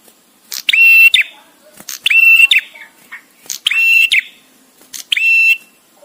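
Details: Male bar-winged prinia giving the 'prenjak tamu' (visiting male) song, with pauses, suited to tutoring songbirds: four loud, buzzy, harmonic-rich phrases of about 0.7 seconds each, spaced roughly 1.5 seconds apart, with faint ticks between.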